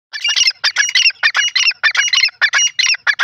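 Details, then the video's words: Grey francolin (teetar) calling: a loud, harsh, rasping chorus of rapid grating notes in tight bursts, repeated without pause for over three seconds. "lovely bird teetar sounds,teetar pheasant sounds"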